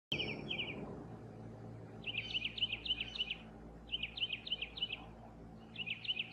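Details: Gray catbird singing like a mockingbird, mimicking other birds; clusters of quick, squeaky twittering notes in short bursts separated by brief pauses, over a steady background hum.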